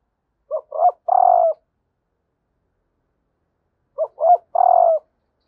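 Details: Two cooing phrases about three and a half seconds apart from a female spotted dove calling to stimulate males, each two quick stuttered notes followed by a long buzzy croo sloping gently down.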